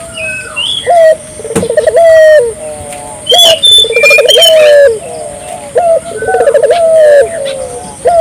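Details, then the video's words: Vigorous Barbary dove calling used as a lure to set off local doves: clipped opening notes followed by bubbling trills and long descending coos, repeated several times, with bright twittering of small birds mixed in. "suara burung puter gacor,merangsang burung puter lokal ikut gacor"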